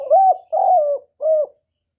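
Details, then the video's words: Spotted dove call used as a trapping lure: a clear, loud three-part coo, two longer hollow notes followed by a shorter one, each low and rounded, with no other sound. "CHIM CU GÁY CƯỜM CỰC CHẤT, TIẾNG CHIM CU ĐI BẨY HIỆU QUẢ"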